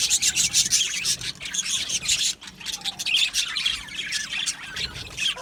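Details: Australian budgie colony in an aviary, chirping and warbling busily; dense overlapping high notes with a brief dip, then renewed chatter with scattered squawks.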